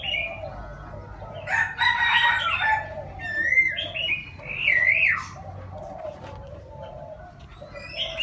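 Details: A six-month-old young Chinese francolin practicing its crow: several bursts of harsh, wavering, pitch-shifting notes, some rising and falling sharply, with pauses between attempts and a low background hum.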